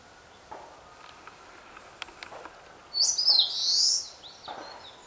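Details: Eastern crowned warbler delivering a strident buzzy phrase, high and wavering, about a second long, preceded by a few faint low knocks and ticks in a quiet outdoor setting.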